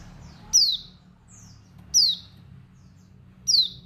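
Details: A Dakun Bali female white-eye calls with high, thin notes that drop steeply in pitch, three loud ones about 1.5 seconds apart and a softer note between them. A call said to rouse males to aggression and desire, over a low hum.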